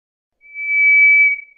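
White's thrush gives a single thin, steady, high whistle lasting about a second, swelling then fading, with no other sounds around it.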